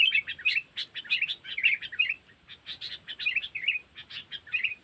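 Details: Sooty-headed bulbul calling as a trapping lure, cengkeram style from Lampung. Steady bursts of loud bubbly chirps and short twittered phrases run throughout, with brief gaps between groups.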